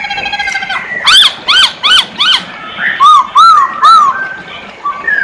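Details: Poksay hongkong (masked laughingthrush) in lively gacor song. A short whistle leads into four loud, evenly spaced chevron-shaped notes. Three softer, lower arched whistles follow, each about half a second apart.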